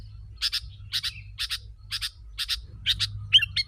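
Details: Sooty-headed bulbul, played to lure wild birds, repeating rasping double chips about every half second, ending in a quick clear twittering note; constant low hum underneath.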